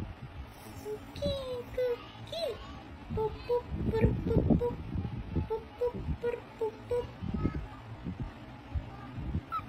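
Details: A pet white-faced cockatiel whistles short, clear, fairly low notes in a quick, uneven tune.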